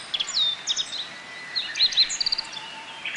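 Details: Japanese white-eyes feed on nectar at bottlebrush blossoms in a Kobe botanical garden, Japan, on 14 June 2018 during the rainy season. High, thin twittering notes, some sliding and some in quick doubled bursts, come amid soft background hiss.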